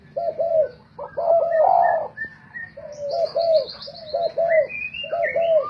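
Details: Spotted doves in a singing competition, decoys for trapping: overlapping repeated double coos from more than one bird, with thin high chirps and whistles of small birds above.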